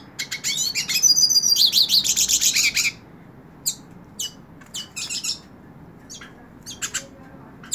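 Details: Hooded siskin in the hand sings a loud, fast buzzy trill with twittering for about three seconds, then quieter isolated sharp chirps spaced through the rest.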